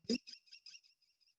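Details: A captive, food-motivated female American kestrel gives a quick series of high, sharp "kitty kitty" notes, about five a second, fading after a brief low thump at the start; she is probably asking for more food.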